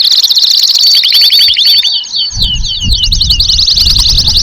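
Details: Atlantic canary song meant to teach young birds and encourage males to sing: rapid high trills and rolling whistled phrases delivered continuously, with a low rumbling background noise starting midway.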